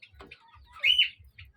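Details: Pet talking myna at home with its owner, giving a single loud, short, squeaky upward-bending chirp over a faint steady low thumping, a softer note following.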